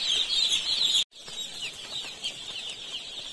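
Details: Crowd of little chicks in an Indian poultry farm producing loud, piercing high peeps that break off abruptly, then resume more softly with scattered single chirps standing out.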